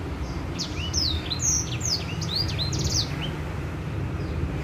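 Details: White-rumped seedeater singing, a lure for other birds: a short burst of bright rising and falling whistles and a brief trill, with low hum beneath.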